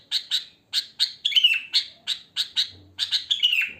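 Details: Sooty-headed bulbul, wild, in natural song without added phrases. Short crisp chirps come in pairs and singles, mixed with two falling slurred whistles. A faint low hum sounds briefly near the end.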